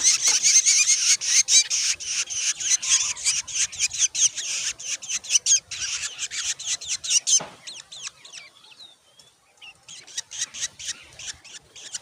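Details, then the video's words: Growing Black Drongo chicks at the nest demanding food, a dense burst of rapid, harsh high-pitched begging calls repeated over two per second for seven seconds, then sparser chirps and scattered clicks. "Black Drongo bird's Growing Chicks Demand More Food!"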